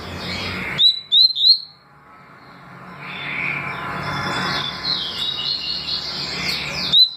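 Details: Double-collared seedeater, tui tui and deputado song styles: three quick rising whistles early on, then a long hiss with faint distant chirps and one final whistle.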